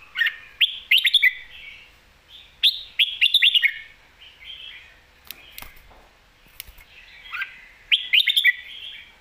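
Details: Red-whiskered bulbul, a caged competition songbird, switching between lak wai and mae bot songs: rapid clusters of clear, bubbling whistled notes rising and falling, repeated three times, with quieter scattered chirps in the pauses.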